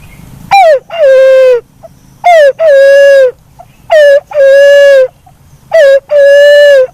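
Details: Black-naped fruit dove giving four evenly spaced calls, each a short falling note running into a longer steady, harmonically rich hoot, repeated about every one and a half seconds.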